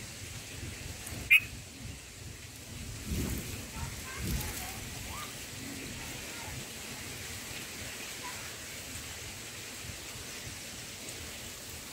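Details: Steady hiss of rain fills the recording, with a sharp click, a few low thumps and perhaps faint voices, but no animal calls.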